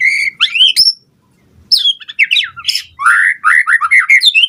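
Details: White-rumped shama singing to provoke other birds to respond, with rich varied phrases of rising and falling whistles mixed with fast chattering notes after a brief pause.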